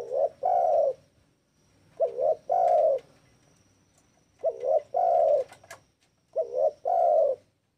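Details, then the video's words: Spotted dove call played to provoke rivals into answering: four groups of low coos, each a brief doubled note then a long sustained coo, repeated roughly every two seconds, with a faint high whine in the background. "Suara Pemanggil TEKUKUR GACOR...!!!! Manggil LAWAN Jadi GACORR LOSSS"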